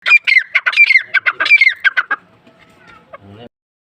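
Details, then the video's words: Female grey francolin (teetar), described as the dakni type from Taunsa, giving a loud run of about a dozen harsh, rapidly repeated ringing notes over two seconds, then quiet faint rustles and a short low sound at the end. "gray francoline teetar sound | female teetar awaz"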